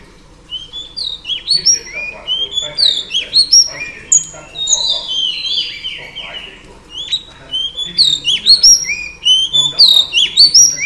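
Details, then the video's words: Singing to excite males, a female Oriental Magpie Robin delivers a long, rich stream of high whistles, chirps and rapid slurred notes in busy clusters, pausing briefly midway before resuming strongly. "Than mái hót kích trống Oriental Magpie Robin Female"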